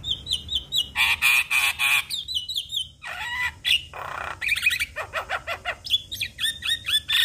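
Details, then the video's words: Black-collared starling singing to provoke other starlings: loud varied phrases of whistled slurs, harsh noisy bursts and rapid repeated squeaky notes, densely packed and continuing throughout. "Semua Burung Jalak Langsung Buka Suara Dengar Kicauan Jalak Kebo Ini"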